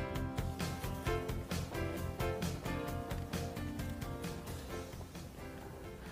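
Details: Upbeat music with steady beats and guitar carries the whole passage, with no animal voice anywhere.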